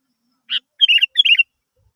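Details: Song of a sooty-headed bulbul, used to prompt other birds to sing: one short buzzy note, then two cheerful gurgled phrases of rolling, slightly falling notes, with no other sounds.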